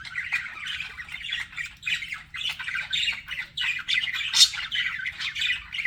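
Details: Pet budgerigars flirting: a nonstop chatter of raspy squawks, clicks and quick twittering notes in uneven bursts, one sharper shriek near the end, recorded close with no other sounds.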